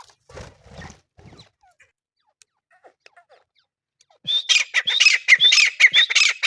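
A grey francolin breaks into loud, harsh, grating call phrases after a few seconds of faint low rustles and bumps.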